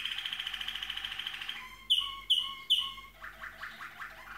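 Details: Malinois waterslager canary singing: a fast rolling trill, then three loud, clear whistled notes about half a second apart, followed by quick bubbling, lower notes.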